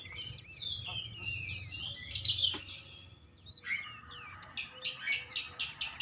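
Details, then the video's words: Oriental magpie-robin song used to provoke another bird into singing: scattered whistled notes and buzzy bursts, then a run of six loud, evenly spaced chirps near the end. "PANCINGAN KACER CEPAT panas GACOR naik emosi bongkar isian"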